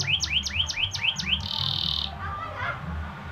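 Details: Caged canary singing lure song used to prompt other canaries to sing: six quick rising whistled notes repeated about four times a second, then a steady high held tone and softer warbles, over low background hum.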